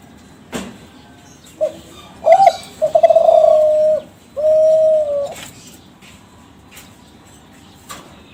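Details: Young captive-bred Kelantan zebra dove from a contest-champion line, singing a lure song meant to make other doves answer: a short stuttering intro, then two long, steady, mellow low coos, with faint clicks in the background.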